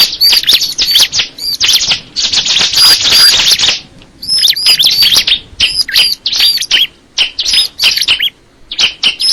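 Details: Bar-winged prinia of the crystal ciblek type delivering a fast, high-pitched chattering song: a buzzy, tightly packed burst early on, then scattered sharp chirps and piercing whistles with brief gaps.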